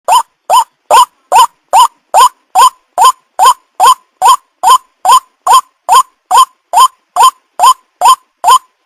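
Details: White-breasted waterhen (ruak-ruak), a bird calling prolifically, used as a lure call for trapping. Loud rising croaking notes repeat steadily, about twice a second, over silence.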